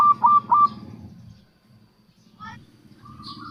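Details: Local zebra dove song played to lure wild doves: three quick, high, sharply rising cooing notes at the start, then faint softer sounds over a low rumble.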